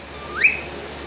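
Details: Cockatiel in happy mode producing a single upward-sliding whistle that starts level, climbs steeply to a bright peak, then fades, over a quiet room background.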